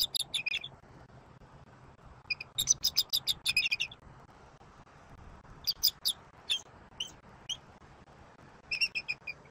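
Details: At a Southwest Florida bald eagle nest, early morning of 23 October 2024: sharp, high piping chitters delivered in rapid runs of several notes, several bursts with silence between, low hum beneath.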